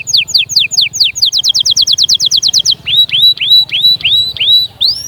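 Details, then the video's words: Canary singing to prompt chicks into song and prepare hens: steep falling whistles speed into a rapid even trill, then a series of upward-curving whistled notes repeated roughly twice a second. "غناء وتحفيز خرافي لأجبار الفروخ على التغريد وتجهيز الأناث فورا جربهاcanari bird singing"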